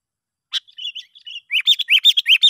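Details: Sooty-headed bulbul call used as a lure to draw other bulbuls: a sharp click, then soft broken twittering, then a fast run of bright rising chirps repeated several times a second.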